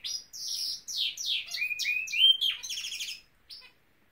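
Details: Norwich canary song in short linked phrases: sweeping slurred notes, a run of rising whistles, then a buzzy rattle ending in a brief quiet and one final chirp.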